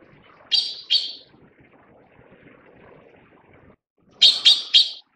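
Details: Taiwan blue magpie during chick feeding: two harsh, scratchy notes close together, a quiet gap, then three more rapid rasping calls, loud and broadband.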